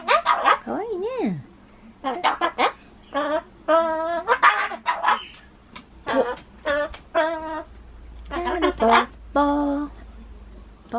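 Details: Talking pet Ducorps's cockatoo working at saying bye-bye, looping its phrases: a long string of hoarse, harmonic, word-like syllables, short choppy notes mixed with sustained flat squawks, heard at close range indoors.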